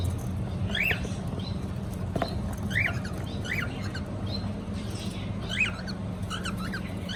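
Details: Cockatiel giving a series of short, bright, arched chirps at irregular intervals, roughly eight notes, against a constant low droning hum.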